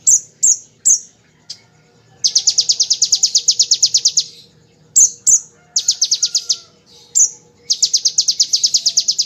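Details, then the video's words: Bar-winged prinia giving 'tembakan ngebren' song for training caged songbirds: a few sharp high chips, then long rattling high-pitched trills of rapid even notes, alternating with more single piercing notes. "Konin Tembakan Ciblek Ngebren untuk Masteran Murai dan Kacer"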